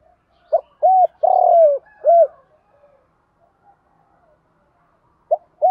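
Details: Spotted dove coo used to lure and train captive birds: two quick hooked notes, a long sustained falling coo, then a short closing note, followed by quiet and the start of another phrase.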